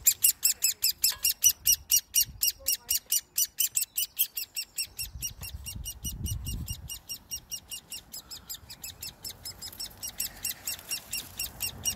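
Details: Great spotted woodpecker chick begging while being hand-fed on 30 May 2020 after its parents disappeared: sharp, high, rasping chips repeated rapidly, about five per second, loud at first and then softer, with faint low handling noise.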